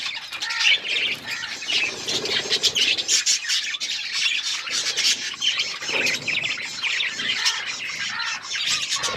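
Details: A group of pet budgerigars chirps nonstop. Bright twittering, scratchy squawks and quick rising squeaks repeat densely throughout, with loudness pulsing up and down.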